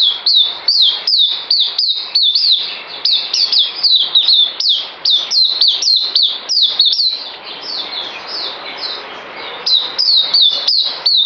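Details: Captive songbird scheduled for deworming, 9 December 2018: rapid high chips slurring downward, nearly three per second, run on for about seven seconds, then a softer pause, then a renewed burst.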